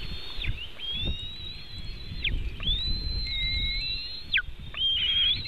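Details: Eaglets of the White-tailed eagle being fed at their Latvian nest, webcam recording, 24 June 2018 around 3:23pm: drawn-out piercing whistles, each ending in a steep downward slur, with soft low rumbling underneath.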